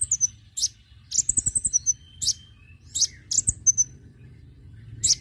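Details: Konin bird lure sound to attract birds: quick high chirps and a rapid rattling trill, with thin whistles between bursts.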